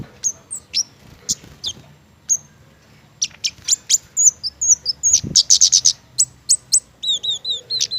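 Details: Indonesian garden flowerpecker, fond of mistletoe fruit, singing in lively form: scattered high ticks build into quick runs of thin sharp notes, ending with repeated rising-falling whistled chirps, with one low knock.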